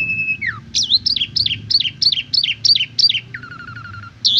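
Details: Asian pied starling song meant to teach beginner birds: a steady whistle sliding down, a run of about eight repeated looping notes, then a low fluttering trill and a final rising note.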